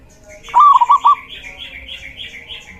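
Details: Male local zebra dove used for luring doves gives one quick rolling coo of several notes, while a higher chattering bird twitters continuously behind it.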